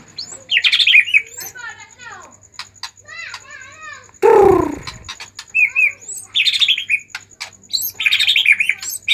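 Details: White-rumped shama singing excitedly as a lure for other shamas: several bursts of rich warbles and rising and falling whistles, broken by a sudden loud, low, rough noise midway.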